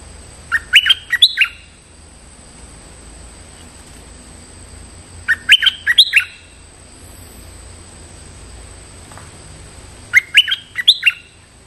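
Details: Stripe-throated bulbul calling as if challenging a resident territorial bird, giving short bursts of bright, bubbling chirps, each about a second long, repeated every five seconds over a steady faint hiss.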